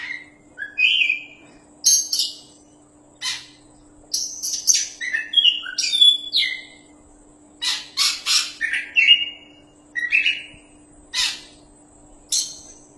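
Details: Oriental magpie-robin, a champion singer in full voice, used as a tutor song: sparse whistled phrases and harsh chattering bursts, then a dense cluster of sharp varied notes before spacing out again; faint steady hum.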